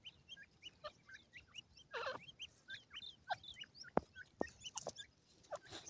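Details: Group of partridge chicks competing for food, calling in brief hooked whistles that repeat irregularly, joined by rustling, scraping and two sharp taps midway.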